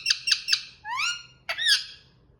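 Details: Green pet Indian ringneck parakeet giving three shrill, harsh squawks in quick succession, then a long rising whistled sweep, a short sharp note and a final bright upslurred call.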